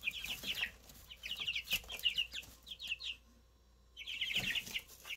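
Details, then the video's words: Three freshly hatched Easter Egger chicks cheeping in dense overlapping strings of high, slightly falling peeps, a quiet gap near the end, then a fresh burst of chirping with faint background thuds. "Brand new Easter Egger Chicks."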